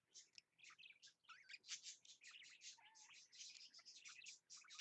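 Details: A pair of nesting budgerigars doing their mating dance at 8 AM on 8 March 2015 chatter in a fast, scratchy warble of high chirps and squeaks.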